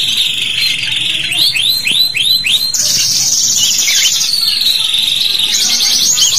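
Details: Canary in long, vigorous 'cuit cuit' song, played as a tutor recording to lure young canaries into singing: a steady whistled tone, then a run of quick rising-falling swoops, shifting into high buzzy trills and sweeping phrases.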